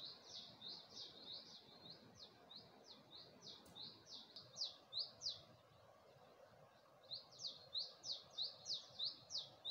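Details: Morning bird song at dawn in Gulmit, Hunza, facing the Passu cones: evenly spaced high chirps, about three a second, growing louder and crisper toward the end, over a quiet, faintly hissing background.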